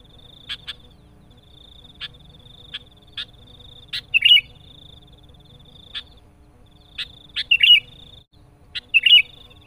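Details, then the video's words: A Sooty-headed bulbul lure call meant to press a rival gives short, bubbly warbled phrases every few seconds over a steady high-pitched whine and sharp ticking clicks. "SUARA Kutilang Pikat gacor Menekan Lawan"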